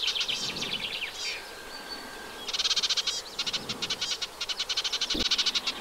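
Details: Eurasian reed warbler at its nest in a wet meadow beside the Vilaine, freshwater side of the Arzal dam, Brittany, France, 15 June 2023: bursts of fast, rhythmic, grating chattering notes, with a thin whistle between phrases and a soft background hiss.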